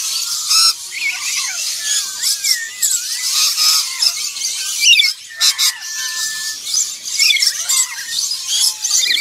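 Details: Black-winged lory (Eos cyanogenys), call.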